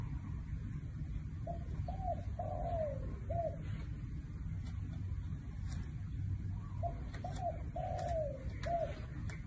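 A spotted dove gives a soft, low cooing phrase of about four notes, one longer and drawn out, repeated twice over a steady low rumble.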